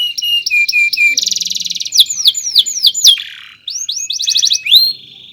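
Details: A canary delivers long chirping song for tutoring other birds, mixing evenly spaced whistled chirps, a fast rattling trill, descending slurs, a brief buzz and final upswept notes.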